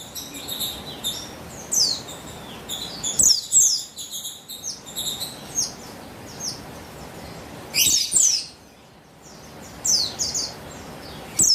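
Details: Luring calls of a female buxtoni Javan white-eye, recorded 3/8/21: an irregular stream of high, thin chirps and falling slurs, with louder bursts near two, three and eight seconds and a brief quiet gap.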